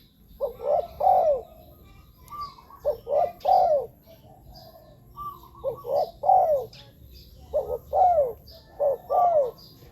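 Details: Spotted dove lure recording for wild doves: a series of short paired and tripled coo phrases, mellow and low, arriving in clusters with short gaps. Faint high chirps sound in the background.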